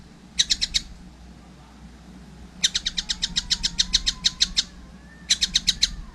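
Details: Young collared kingfisher giving three bursts of rapid, harsh, high-pitched notes, each burst of about four to twelve notes, separated by short pauses. A faint wavering lower tone runs between the bursts.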